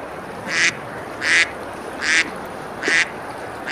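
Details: Ducks eating and splashing on a river beside a medieval village, Besalú, Spain, in summer; five loud nasal quacks spaced about 0.75 seconds apart against a steady background of running water.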